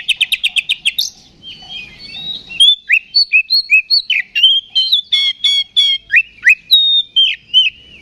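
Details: Oriental magpie-robin song meant to provoke aggression in other magpie-robins: a fast volley of repeated chirps, then loud slurred whistles at a brisk, uneven rhythm.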